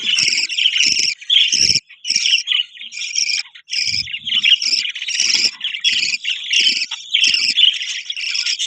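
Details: Budgies chattering steadily, a busy stream of scratchy warbles and short chirps repeated in bursts about every half second, with faint low thumps in the background.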